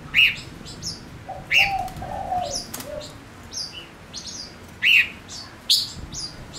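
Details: Singing male Gouldian finch used as a trapping decoy gives loud sharp chirps and high whistled slurs at irregular intervals, with a lower drawn-out note in the middle. A steady low rumble sits underneath.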